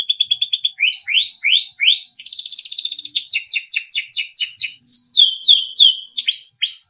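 A Timbrado canary sings a fast, varied song of rapid trills, rising sweeps and bright repeated notes, shifting phrases every second or two with no other sounds.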